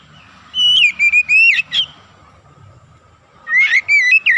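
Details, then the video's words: Oriental magpie-robin singing, a lure for other magpie-robins: a chain of loud whistled notes with upward flicks, a quiet gap, then another rising whistled phrase, low hum underneath. "PANCINGAN TERCEPAT MENAIKAN EMOSI KACER GACOR DENGAN CEPAT"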